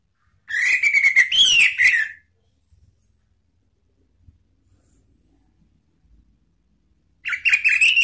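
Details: Orange-headed thrush provoking rival birds with a long, harsh, pulsed buzzy phrase with rising whistled inflections, followed by silence with faint taps and another buzzy burst.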